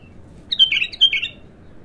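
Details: A raw, untrained bulbul, called abtar, in its first bout of song gives a short loud phrase of two bright, warbling, slurred notes, the second sliding downward, over a quiet background.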